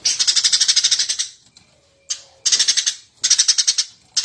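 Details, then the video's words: Lively Eurasian tree sparrow, recorded as master material for teaching cage birds: fast runs of shrill, metallic chirps in four bursts, with a brief pause and a faint low tone between bouts. "suara burung gereja gacor"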